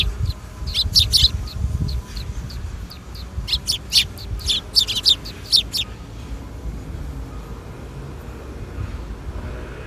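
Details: Sparrows coming to be fed at a Tenmangu shrine on an April 13, 2021 afternoon, giving bursts of short, bright chirps in quick clusters over the first six seconds, then a quieter background hum.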